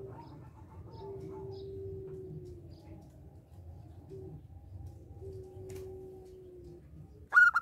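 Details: Zebra dove, local type, singing to prompt other doves: drawn-out low coos repeated with pauses, a soft rumble beneath and a sharp higher burst at the very end.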